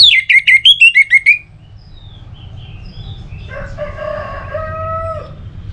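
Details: Orange-headed thrush song from North Bali, used to coax other birds into singing: a rapid run of seven or so sharp descending whistled notes, then softer lower drawn-out tones fading out.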